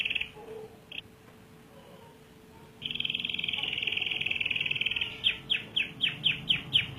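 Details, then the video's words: Canary in full long rolling song: a few faint notes, then a fast rattling trill held for about two seconds, followed by a series of quick descending sweeps about twice a second. "Suara burung kenari gacor ngerol panjang"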